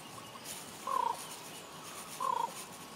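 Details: In Juneau, Alaska, common ravens give two raspy, slightly falling croaks about 1.3 seconds apart over soft ambient noise.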